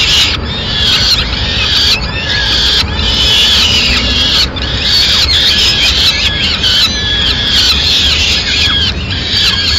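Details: Peregrine falcon with chicks at feeding time in Madrid, recorded 29 April 2016 as the mother brings food. A steady stream of harsh, high, whining squeals overlaps continuously, broken only by a few momentary dips.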